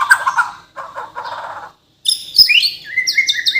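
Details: Captive white-rumped shama of Borneo origin giving burbling chatter, a short silence, then high clear whistles and repeated rising notes.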